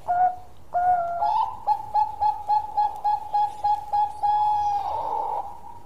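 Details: Zebra dove, a Bangkok-type perkutut, singing a long gacor song: a few opening notes then a steady run of about a dozen clear, mellow hooting coos at one pitch, evenly paced, ending in a drawn-out note.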